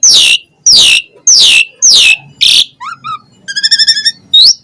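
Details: Asian pied starling in full, lively song: loud downslurred whistles repeated about once a second, then short rising notes and a rapid warbled trill, ending in a rising whistle.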